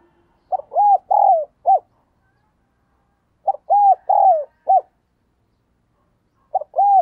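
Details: Spotted dove acting as a lure bird, calling to bring in wild doves. Two full cooing phrases of short arched notes and a long falling coo, ending with a clipped short coo, then another phrase begins.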